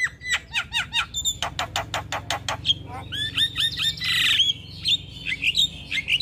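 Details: Male Javan myna in lively morning song, full isian: a run of repeated hooked chirping notes, then a quick string of buzzy, upward-flicking whistles and a brief harsh rasp.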